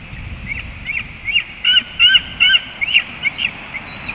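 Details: A young eagle (eaglet) at 19:09 gives a run of about ten high, thin, squealing notes, roughly three a second, louder mid-series, as an eagle flies away; faint background rumble.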